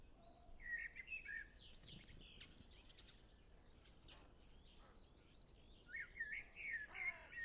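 Common blackbird singing two short phrases of mellow whistled notes, each with thin, squeaky twittering, about five seconds apart over a steady background hiss.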